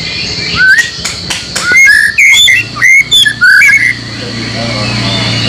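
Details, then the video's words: Training song of the White-rumped shama (murai batu) for caged birds; a run of varied whistled notes, slurred up and down, delivered in quick bursts over about three seconds, followed by a low steady hum and background hiss. "masteran murai batu yakin 100% bikin gacor setiap saat"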